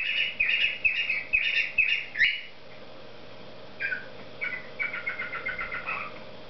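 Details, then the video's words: Singing cockatiel gives a string of sharp, bright whistled notes repeated about every half second, a brief silence, then a faster rhythmic series of chirpy whistles ending with a falling note; quiet indoor hum behind. "Попугай Корелла песенки поет Parrot Sings"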